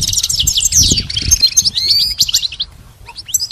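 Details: Trained pet goldfinch singing dense high twittering that thins out into a few clear descending whistles and scattered chirps before a quiet pause and final notes.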